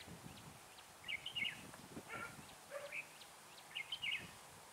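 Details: Red-whiskered bulbul used as a lure bird for trapping in cold weather of 12 to 15 degrees; short warbled whistled phrases around mid pitch, two bursts a few seconds apart with faint chirps between.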